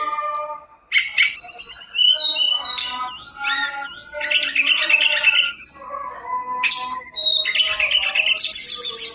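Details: Mountain tailorbird sings a fast, varied song of high thin whistles, sweeping notes and short buzzy trills, changing phrase every second or so, with no other sounds. It is used as a lure recording to set other birds singing.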